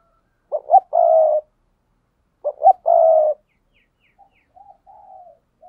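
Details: Paired cooing of a spotted dove: two low phrases about two seconds apart, each with two quick rising hoots then a long steady coo, followed by softer, fainter answering coos.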